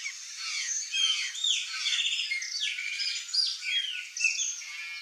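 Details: Free-flying flock of curl-crested jays in Brazil; rapid overlapping squawks, upslurred and downslurred notes and brief chatters from many birds at once.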